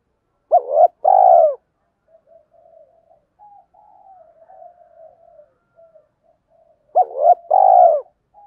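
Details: Spotted dove used as a lure for wild doves: two-part coo phrases, a quick upswung note then a fuller falling coo, given twice about six seconds apart with quiet warbling in between.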